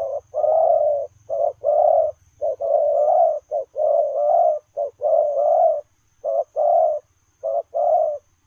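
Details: Spotted dove cooing while running, in the 'lèo rồng' style: low, hoarse coos in paired phrases, a short note then a longer drawn note, repeated steadily about once a second with brief pauses, with a faint steady high hum behind.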